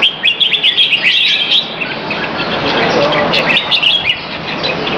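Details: Red-whiskered bulbul kept as a pet, exercised at about 2:15pm on 22 Feb 2017 at Serangoon North Ave 1, when the birds are said to be inactive. Bright chirpy warbled phrases in quick succession, busiest at the start, over a steady background hum.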